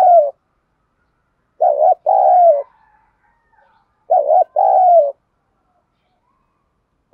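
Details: Spotted dove cooing in the calling style known as gáy gọi and thúc, Thổ voice, with a decoy bird answering. Mellow two-part coo phrases, low and steady, repeated about every two seconds in a quiet setting.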